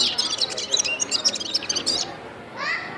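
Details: Gulsar bird singing: a dense, rapid jumble of high chirps and twitters for two seconds, then a brief lower harmonic voice-like sound near the end.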